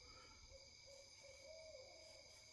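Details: At night an owl gives a faint series of short, soft low notes that run together into a longer, slightly rising held tone near the end. Constant hiss and hum in the background.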